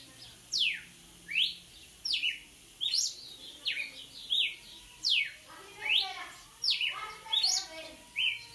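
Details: Red-cowled cardinal singing vigorously, repeating sharp downward-sweeping whistles about once per second over more than eight seconds, with occasional short rising chips between the phrases.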